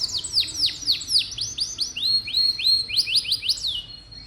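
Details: Canary song used to coax young canaries into singing: a series of clear, curving whistles, first steeply falling, then rising-and-flattening notes repeated about four a second, dropping in volume at the close.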